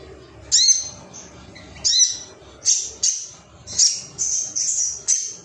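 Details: A male Ruby-cheeked sunbird (sogon), worked up and calling for rivals, gives separate high piercing chirps, some with a falling tail, spaced roughly half a second to a second apart.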